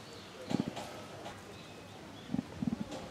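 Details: A female emu at Tama Zoo, January 2023, gives deep, hollow drum-like thumps, a call that differs between the sexes, in two short bursts: a quick pair, then a run of three or four, over a faint outdoor hum.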